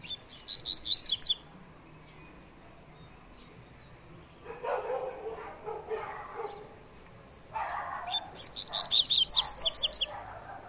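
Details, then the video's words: Two bursts of the Double-collared seedeater's "tui tui" three-note song, each a rapid string of high, sharp chirps, separated by several seconds of lower, rougher background sounds. "tui tui 3 nota"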